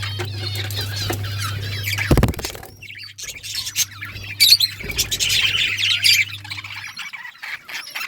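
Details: Budgerigars during breeding, chattering with a busy mix of chirps, warbles and harsh squawks, over a steady low electrical hum, with a loud clattering knock at about two seconds.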